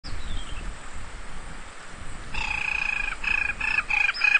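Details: An African jacana at Idube, 18 October 2012, gives a rapid series of harsh, nasal, squealing notes in short bursts after a faint descending whistle, over a low rumble of wind or distant traffic.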